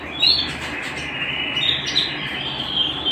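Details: Home-kept canary in song, a brief stretch of dense high trilling with a couple of sharp upward-flicked notes, over a constant noisy background.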